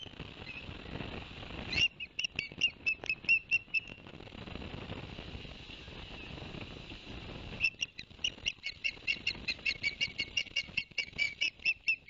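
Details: Osprey at a Barnegat Light, New Jersey nest camera, 11 September 2021, after the male brought two fish for the young. Rushing wind-like noise first, then a burst of whistled chirps, more noise, and a fast closing run of chirps.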